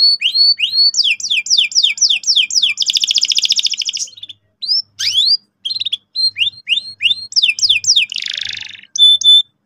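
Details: Canary singing energetically as a training lure for young birds: quick series of rising hooked chirps, a buzzy roll, brief gaps, more chirp runs and a harsh burst.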